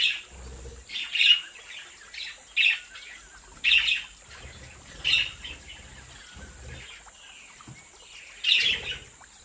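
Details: Australian budgerigars in a home breeding aviary giving short bright chirps in bursts, about every one to two seconds, separated by quieter gaps, with a steady high hum throughout.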